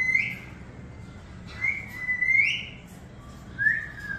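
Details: Female pet Moluccan cockatoo, a talking bird, gives three clear whistled phrases, rising then sliding, spaced over four seconds, in a quiet indoor room.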